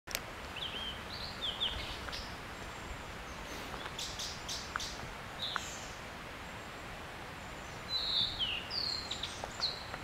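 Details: Blue-and-white flycatcher song, possibly a threat or courtship display (uncertain): short, high, clear whistled phrases with quick slurred notes, in two bursts near the start and end, over steady background hiss and a few clicks.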